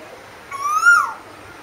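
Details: A single clear whistled note from an Asian koel, gliding upward and then breaking off with a short fall, against a quiet background.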